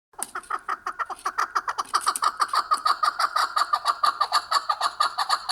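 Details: Chukar in Kyrgyzstan giving a fast series of harsh clucking notes, repeated about twice a second, growing louder and more insistent as the series runs on; no other sounds stand out.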